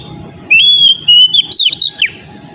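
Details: Single whistled phrase of an Oriental magpie-robin, played as training song for an untrained young bird: a long bright whistle, then several swooping notes that rise and drop sharply, over a low background rumble.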